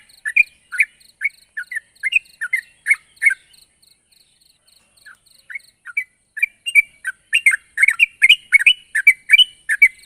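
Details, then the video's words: Yellow-vented bulbul calling toward a rival, with rapid, bouncy chirps, a quieter stretch of scattered notes, then a busy, overlapping flurry of bright calls, and a faint high hum throughout. "suara burung trucuk gacor memanggil lawan"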